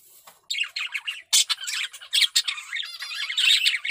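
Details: Male budgerigar in strong breeding condition, singing a rapid chattering warble of buzzy squawks, clicks and short whistled notes in dense bursts, with a brief quiet start before the chatter begins.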